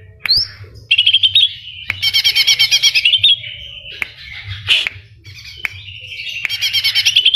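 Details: Greater green leafbird in full, busy song filled with kapas tembak and cililin imitations: an upward-sweeping whistle, then repeated fast pulsing trills and drawn-out thin whistles, with sharp clicks and a quiet low hum beneath.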